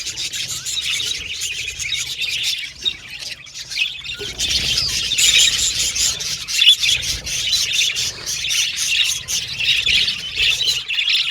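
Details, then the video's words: Budgerigars in a group, chattering as they sing and play. The chirps and squeaky warbles are constant and overlapping, thin and high, with brief dips and louder bursts near the middle and the end. "Budgies Chirping Sound"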